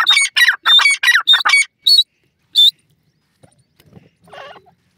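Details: Grey francolin calling: a rapid run of six loud, harsh, ringing notes in quick succession, followed by two short, sharp high notes spaced apart, then near silence with a faint soft sound at the end.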